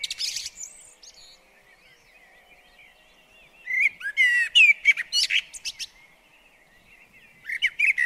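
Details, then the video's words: UK garden blackbird visiting a bird table, delivering song: an opening high twitter, a long quiet pause, then a dense burst of fluted notes and sharp chittering, with another phrase starting at the end. "Garden Birds Singing The Blackbird"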